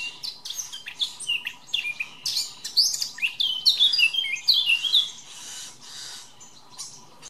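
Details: Eurasian blackcap male delivering a lively warble: scratchy chattering notes build into loud, clear whistled phrases in the middle, followed by softer, distant warbling, with a low background hum.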